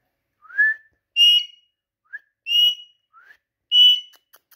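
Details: Indian ringneck parakeet talking, alternating soft rising whistles with louder buzzy, harmonic speech-like syllables about once a second.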